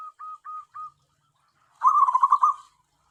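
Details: Tame zebra dove used to lure wild doves utters four spaced, level coo notes, then after a short pause a fast, rolling, trilled cluster of notes.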